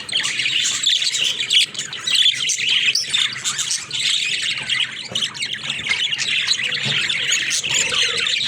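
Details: Budgerigar flock kept as pets, playing in a cage: nonstop overlapping chirps, squeaky warbling and harsh squawks form a busy, even chatter, with short sharper notes standing out now and then.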